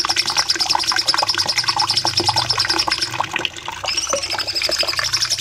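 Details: Training master of a cucak cungkok bulbul: a rapid high trill of repeated notes, a brief drop in loudness, then a rising slurred whistle and the quick trill again.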